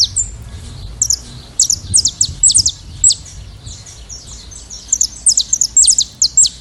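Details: Saffron finches free in nature in a flock: scattered high, thin chirps in quick bursts, a quieter gap in the middle, then a renewed run of sharp twittering notes.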